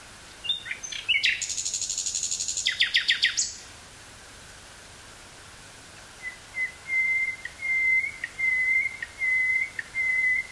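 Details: Woodland nightingale near Burgh-Haamstede, Netherlands, 18 May 1983, recorded on Sony TCD-5M cassette with a Sony 949-T stereo mic; a high buzzy rattle, then a pause, then a string of separate low whistled notes swelling one after another.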